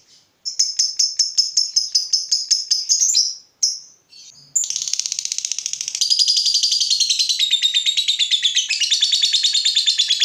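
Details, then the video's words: Fighter lovebird, emotional at seeing a rival, starts with a row of rapid shrill chips, pauses briefly, then launches into a dense, buzzy, high rattling chatter that continues to the end. "Terpancing Emosi Begitu Lihat Lawan, Lovebird Fighter ini Langsung Narung"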